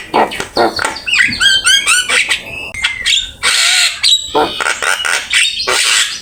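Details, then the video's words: Energetic Javan myna singing a training master song full of filled-in phrases. Short harsh notes alternate with bursts of high whistled trills and buzzy rasps in a choppy, restless sequence, recorded with Open Camera. "Suara jalak kebo gacor !! Full isian ,masteran asik"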